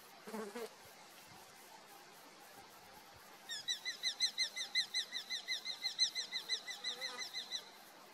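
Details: Eurasian hobby in a dispute over a food delivery: after some faint noise, a loud, steady run of sharp, high, down-slurred squealing notes, about three a second, lasting some four seconds.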